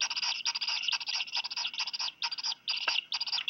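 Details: Two Black Guillemot chicks, about a week old, each fed a fish by both parents, Seal Island, Maine, 4 July afternoon, give a rapid, nearly unbroken stream of thin, high, wheezy peeping with short breaks every second or so.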